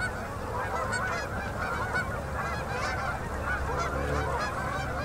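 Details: Migrating Canada geese flying in by the thousands to settle on a river at sunset in Manitoba, Canada, October 2018; steady clamour of overlapping honking over a soft low rumble.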